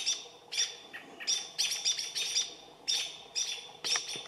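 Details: American robins mobbing a barred owl give sharp, high, clipped alarm notes in irregular bursts, roughly two a second. The robins kept trying to drive the owl off for six hours while it moved less than 10 feet.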